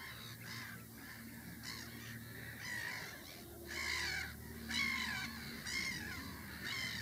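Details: Lapwing parent calling near its chicks: loud, wheezy, slurred notes that arch and fall, given about once a second with short gaps, over a low droning hum.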